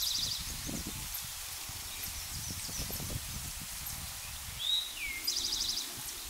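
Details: Eastern towhee, a male, singing in Pleasant Valley Wildlife Sanctuary, Lenox, Massachusetts, on 26 June 2024. A trill ends at the start, then a full song follows: a whistled note, a lower note and a buzzy trill. Rustling noise runs throughout.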